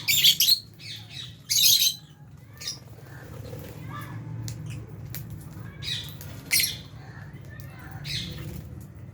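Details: Lovebirds in an aviary, including albino and Fisher's birds, enjoying food with budgies; two loud grating squawks open, followed by softer scattered chirps over a steady low hum.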